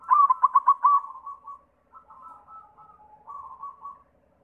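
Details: Singing white zebra dove, played to coax other zebra doves into song: rapid run of about six loud staccato notes, then a descending rolling coo, followed by softer broken cooing phrases.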